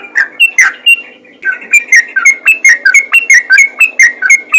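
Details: A few scattered whistles, a short pause, then the yellow-vented bulbul launches into a fast even series of clear dipping notes, calling to other bulbuls, which answer.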